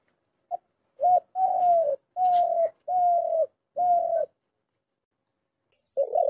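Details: Spotted dove giving a series of five steady, hollow coos about half a second to a second long with short gaps, then a long silence before a wavering coo begins at the end.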